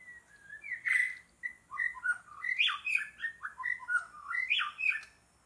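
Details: White-rumped shama in forest, recorded while birds are being trapped: a lively run of varied whistled phrases, short rising and falling notes jumping between low and high pitches, with a few harsher squawky accents, in quiet surroundings.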